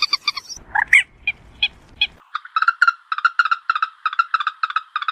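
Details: Common moorhen call for night trapping: a few harsh notes, then a fast, steady run of short mid-pitched clucking pulses lasting several seconds.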